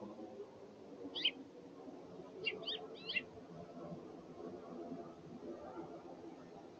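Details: Hungry house finches at a feeder; three quick slurred chirps stand out above a steady low hum and background rumble.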